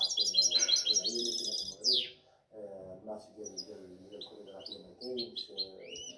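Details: Mixed goldfinch, seven months old, from the 2019–2020 season: a burst of rapid trilled chirps and a downward slur, then sparse high tweets, over steady Arabic speech from a man nearby.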